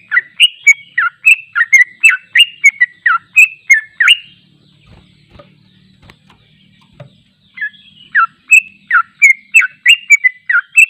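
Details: Sooty-headed bulbul delivering its long ropel song, unedited and used for training: rapid run of bubbly whistled notes about three per second, a pause of several seconds with low hum and a thump, then the bubbling phrases resume.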